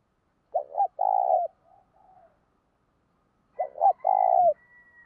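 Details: Thúc-style cooing from a spotted dove, meant to rouse decoy birds: two matching phrases, each a short double note, a longer low rolling coo and soft trailing notes, the second phrase starting about three seconds after the first.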